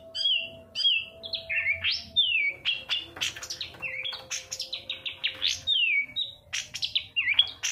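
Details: Long-tailed shrike singing, used as a lure for silent birds: a varied, mimic-like string of clear downslurred whistles, sharp high notes and brief scratchy chatter, with pauses between phrases.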